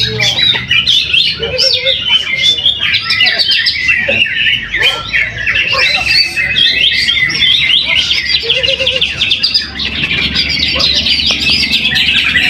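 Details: Caged greater green leafbird at a weekly practice singing contest in Mojokerto, Indonesia: a dense, continuous stream of rapid chattering and squeaky trills, with occasional lower whistled notes among other birds.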